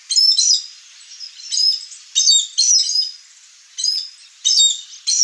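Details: Chestnut-eared aracari, wild, visiting a rural backyard in Brazil's Cerrado: harsh, buzzy high bursts of about half a second, repeated irregularly roughly every second, with short gaps of quiet between them.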